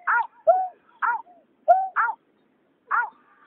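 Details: Water rail, male and female, recorded in 2021: nasal, harmonic squealing notes alternating with lower, drawn-out downslurred calls, about six calls in three and a half seconds against a silent background.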